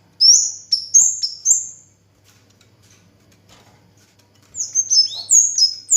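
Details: Orange-headed thrush song with a run of three or four high, bright downslurred whistles, a quiet gap, then a denser cluster of sharp falling notes.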